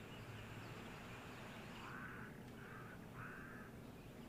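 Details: Cape crows near a dam with wildebeest, on a windy day, give three harsh, drawn-out caws about half a second apart, over steady low wind rumble.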